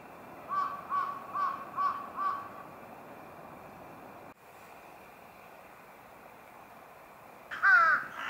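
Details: Wild brown-eared bulbul filmed by digiscoping with a spotting scope and compact camera in early February 2021: five short harsh mid-pitched notes in quick succession, a quiet gap of several seconds, then one louder, sharper call near the end.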